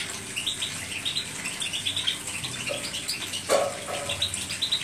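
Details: European goldfinch song of rapid, tinkling high chirps and liquid twitters run together almost without pause, one louder knock or thump midway, steady watery hiss in the background.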